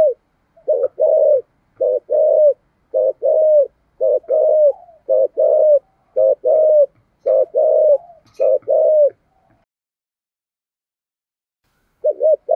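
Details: Decoy spotted dove giving thổ-style cooing meant to stir up wild birds: a steady run of low, mellow coo notes, about one per second, in paired phrases, then a pause and a final short coo.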